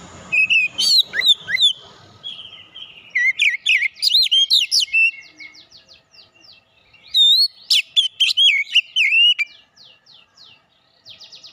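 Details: Oriental magpie-robin lure song to make a kacer sing its full repertoire: busy clicking and whistling at the start, then several loud bursts of sliding whistles, closing with a dry, buzzy high trill.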